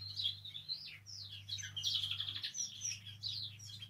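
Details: Canary warbling, played to stimulate canaries to sing: a quiet, rambling stream of chirps, slurred whistles and brief twitters with no fixed rhythm, accompanied by a constant low hum.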